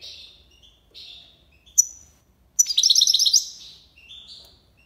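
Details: Goldfinch in Algiers, Algeria, singing the tiwawati style: two soft buzzy twitters, a sharp pip, then a fast rolling trill of high clear notes fading into a slurred tail.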